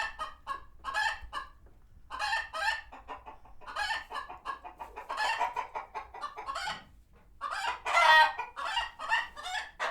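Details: Chickens at a non-profit farm sanctuary in a frenzy after a hawk appeared, producing a near-continuous stream of rapid, choppy clucks and cackles that peaks in a loud squawk toward the end.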